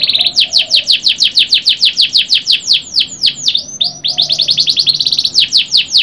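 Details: A canary sings a long, loud, rapid series of sharp downward-sweeping whistled notes, about three each second, briefly breaking into a varied flourish midway before resuming the fast, even repetition. Faint low tones sit beneath.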